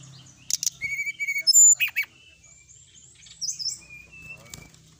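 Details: Sooty-headed bulbul, an energetic singer in a night-time training recording. Short clear whistled notes rise and fall around the middle pitch, mixed with sharp high chirps, then a quieter pause and a few bright slurred whistles.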